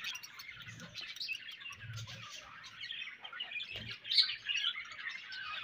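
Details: Steady, quiet budgie warbling of tumbling high chirps and scratchy trills, with a brighter, slightly louder burst of squeaky notes near the end and faint low bumps underneath.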